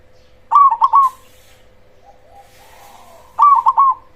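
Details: Loud-voiced cemani zebra dove singing as a provoking lure for other zebra doves: two quick, bubbling coo phrases of four notes, with a softer, faint cooing murmur between them and a steady background hum.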